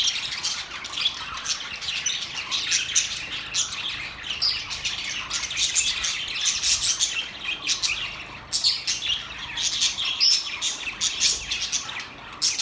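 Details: Budgies sing in a long stretch of busy high chatter, rapid scratchy chirps, squeaks and occasional squawks overlapping from many birds.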